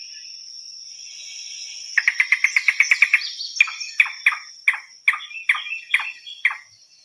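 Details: A Yellow-billed Cuckoo, known as the rain crow, gives its distinctive song, heard on return in spring. It is a fast run of about ten hollow, knocking notes, then slower throaty clucks about a third of a second apart, over a steady high insect drone.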